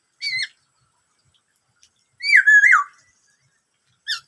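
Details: Sparse 'bắt cô trói cột' song of a Black-throated laughingthrush: a brief high note, a long pause, one loud descending whistled slur, then a short final note.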